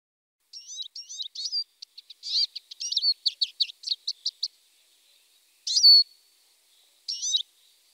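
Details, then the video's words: Eurasian siskin singing: a rapid twittering run of chirps and short trilled notes for about four seconds, then a drawn-out wheezy downslurred note and a final brief twitter, with no other sounds. "Čížek lesní, Eurasian siskin, Erlenzeisig, Sijs, Чиж, Czyż zwyczajny, Tarin des aulnes"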